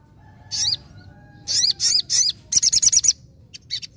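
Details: Sogon singing vigorously in rapid bursts: single high, slurred notes spaced apart, then a fast run of about six sharp whistled notes, with a faint low background hum.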